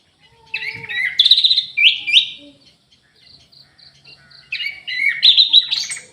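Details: An aviary-kept Orange-headed thrush delivers two rich bursts of varied fluty, slurred phrases, separated by a pause with faint high notes.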